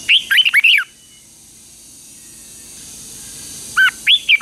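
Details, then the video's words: A red-whiskered bulbul sings during morning training in the fighting style: a rapid phrase of whistled, slurred notes, a long near-silent pause of about three seconds, then another phrase begins. "Luyện chào mào hót sáng | chào mào hót đấu"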